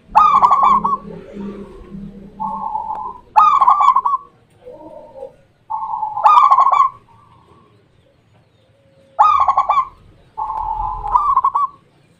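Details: Indonesian local zebra dove (perkutut) in song: four or five bouts of rapid staccato coos each tailing into a sustained rolling coo, separated by short silences, with a deeper dove cooing faintly at the start.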